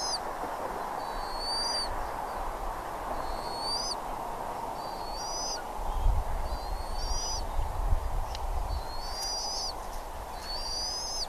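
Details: Bald eagles at Redding on 17 April 2021 at 08:15 morning, giving high thin chirping squeals with sliding, slightly rising notes repeated about every second, over a steady broad background hum and occasional low rumble.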